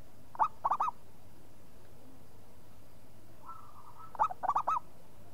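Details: Actively singing local zebra dove from Indonesia: two bursts of three or four clipped, rolling coo notes about four seconds apart, with a faint, level drawn tone just before the second burst and steady low hum throughout.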